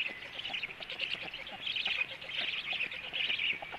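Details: Black storks at the nest at 14:45, as the male comes home and feeding begins: a grainy, buzzing chatter of mid-high notes, uneven and overlapping, over a steady low hiss.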